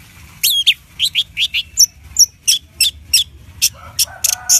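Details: Orange-headed thrush song played to make a caged bird sing, noted for a very loud voice: a run of sharp high chirps and short notes, some with bright harmonics, spaced irregularly, with faint low hum beneath.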